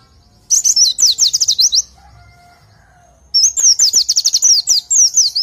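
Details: Oriental white-eye song for tutoring birds: two lively bursts of rapid, very high slurred whistles, some rising then falling, around a quieter middle with faint low tones.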